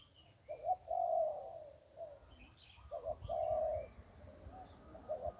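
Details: Zebra dove singing in the one-kuk style by the Ping: repeated purring coo phrases roughly every two seconds, accompanied by scattered higher chirps of other birds.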